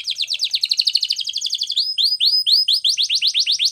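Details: Domestic canary training song, a fast rattling trill that shifts into a series of clear, repeated upswept whistles delivered about twice per second, loud and close.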